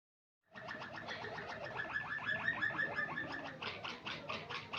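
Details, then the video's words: White Waterslager canary singing, a fast run of repeated notes around one to two kilohertz, rolling and bubbling in rapid rhythm, then louder clucking, water-like tours toward the end. "white waterslager canary singing very nicely"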